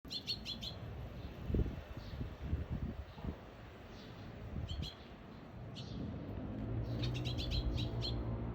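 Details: Eurasian tree sparrow parent carrying food in its bill and calling its missing chick, filmed 17 June 2021; short bright chirps in quick bursts at the start, near five seconds and again near the end, over low rumbling background noise.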